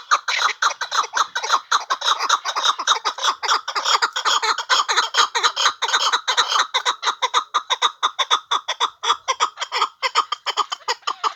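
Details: A hunting chukar partridge delivering a long, dense rattle of raspy chuck notes that run together at first, then separate into sharp, rapid beats for over ten seconds.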